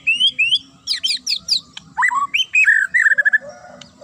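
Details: Sharp song of a Murai (magpie-robin) meant to make rivals answer and rage: upward-sliding whistles, a run of rapid high chips, then lower slurred whistles ending in a quick stutter of repeated notes.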